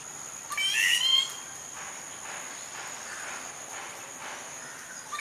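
A Rufous Treepie gives one loud, clear, ringing note with a bent, rising and falling pitch. Softer harsh notes follow about once a second over a steady high insect hiss.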